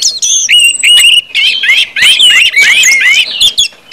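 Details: Orange-headed thrush singing in ngeplong style, meant to get other birds singing quickly; loud sweet whistled slurs and upward sweeps mixed with buzzy notes, delivered in several tight bursts separated by short gaps.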